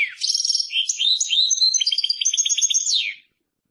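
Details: A Persian goldfinch (European goldfinch) delivers a lively three-second burst of song: sweet twitters, short trills and a buzzy repeated rattle, closing with a down-slurred note, then silence.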